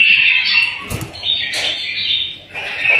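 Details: Pet bulbul singing indoors, played to stimulate other bulbuls to sing: bright warbled phrases with quick chirps, a dull thump at about one second.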